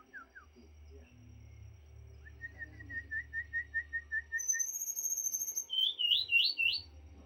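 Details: White-rumped shama singing vigorously: a steady series of short whistled notes, then very high thin trills and quick looping whistled phrases, with a low hum underneath.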